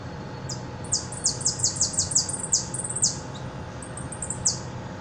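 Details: Repique song from a Buenos Aires hooded siskin used as a caller bird: accelerating series of shrill downslurred notes, a pause, then a few scattered high notes, over low background hum.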